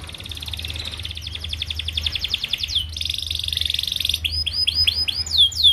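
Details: Canary song played to tutor young canaries: rhythmic series of quick downward notes, then a dense buzzy roll, followed by loud sweeping whistles descending in pitch.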